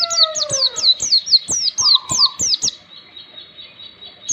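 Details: Oriental white-eye song used as a training recording so young birds quickly learn the ngalas singing style: a fast run of sharp, high, down-slurred chirps, roughly four per second, over a lower sliding whistle, then fading to a faint thin tone.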